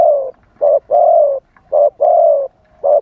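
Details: Spotted dove singing as a live lure for wild doves, wild-style delivery: two full couplets of deep coos, a brief note then a long level one, closing with another short coo.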